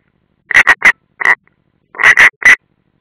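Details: At a nest in the Ādaži training area, Latvia, on 30 June 2016, a European roller gives quick harsh rasping notes, three close together, one alone, then three more, loud and grating.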